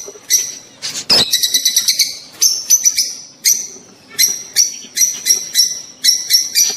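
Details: Breeding-stimulation sounds of rosy-faced and Fischer's lovebirds: a harsh burst, then a quick run of shrill chirps followed by evenly spaced high, piercing squeaks about twice a second.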